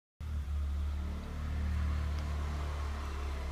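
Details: A vehicle engine gives a steady low rumble that rises slightly as it revs, with no other sounds.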